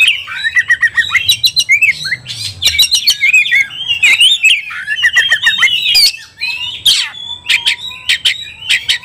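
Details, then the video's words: Oriental magpie-robin singing in an agitated state, provoked to fight: loud, varied whistled phrases with rapid rising and falling notes mixed with harsh sharp clicks and chatters, continuous throughout. "kacer gacor tarung ngobra"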